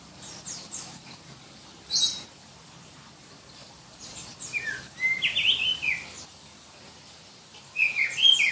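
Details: Oriental magpie-robin, black-breasted type from Berau, East Kalimantan, a favourite of Indonesian songbird contests for its shrill voice. Short harsh bursts are followed by a fluid whistled phrase with downward and upward slurs, then more sharp notes.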